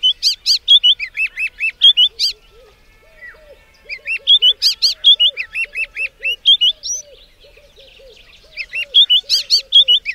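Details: White-browed scrub robin singing loud bursts of sharp, high whistled notes, with phrases repeated about every four seconds. Between the bursts, a quieter series of low, soft, rhythmic notes continues.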